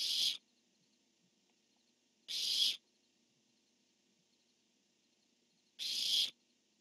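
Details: A calling barn owl answered by its mate, recorded 10-1-15: three harsh, breathy screeches, each under half a second, separated by gaps of two to three seconds of near silence.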